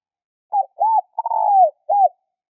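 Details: Spotted dove calling as a lure to stimulate other birds, Thai ground-dove style: one phrase of a brief coo, an arched coo, a long descending wavering coo and a final arched coo, on a silent background.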